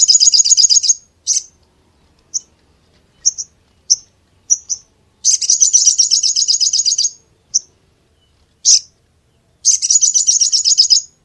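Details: Brown-throated sunbird mixing bursts of fast, high, rattling trills with isolated short sharp chips at irregular gaps.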